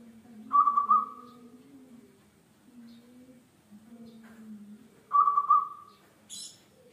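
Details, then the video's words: Singing local zebra dove, used as a lure to prompt other birds to sing: two trilled coo phrases, each quickly pulsed then tapering, spaced over four seconds apart, a steady low drone beneath and a short high chirp near the end. "PERKUTUT LOKAL GACOR BUAT PANCINGAN"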